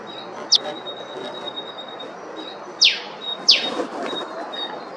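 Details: Eastern spinebill in Queensland, Australia: three sharp, high notes that sweep steeply downward, the first brief and the next two spaced about a second apart, over a steady thin high hum and faint background noise.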